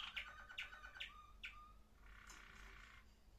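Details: A Waterslager (Malinois) canary, recorded 21 December 2025, sings a quick series of bright repeated notes, about two per second, then a soft bubbling roll, over a low hum.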